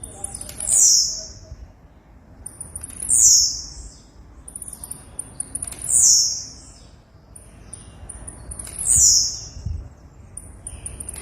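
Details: Female blue-black grassquit: very high, thin descending whistled notes repeated about every two to three seconds, with faint background noise between calls.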